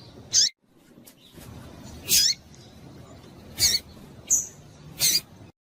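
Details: Female yellow-bellied seedeater calls, used to excite the male: five crisp, very high chirps spread unevenly, plus a short level whistle, against soft low hiss.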